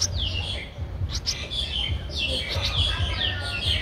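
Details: Thirteen-day-old Streak-eared Bulbul nestling recorded in Ubon Ratchathani, Thailand, on 15 April 2023, giving a string of high descending squeaky notes, some overlapping, with a low hum underneath.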